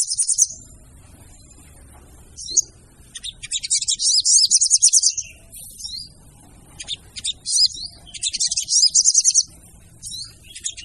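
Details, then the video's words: Lure recording of a female sogon: fast, uneven high chatters come in bursts of about a second, mixed with brief downslurred whistles and quiet gaps, over low background rumble. "PANCINGAN SOGON TER AMPUH DENGAN SUARA SOGON BETINA!!!"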